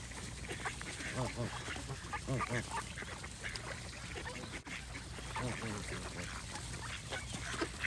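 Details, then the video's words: Geese and other waterfowl calling together in a dense, restless chorus of nasal, harmonic honks and quacks that overlap continuously, with a steady background hiss. "Goose & Birds Sound Effects"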